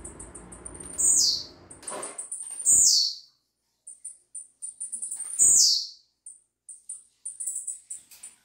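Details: Blue-black grassquit, called a young bird (filhote), singing three sharp, high, downslurred buzzy notes about two seconds apart, with soft ticking chips between and a man's voice at the start.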